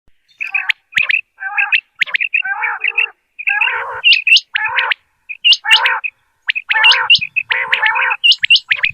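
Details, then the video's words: Common quail (batair), possibly kept for hunting, near Dera Ghazi Khan, gives bright chirping notes in short clusters, repeated irregularly about every half second to second, with little else heard. "Bildirçin səsi | बटेर की आवाज़ | Sound of Quail"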